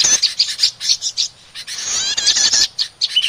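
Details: Sharp, spaced high chips alternate with a continuous fast twittering run. A prinia lure sound meant to draw in small birds.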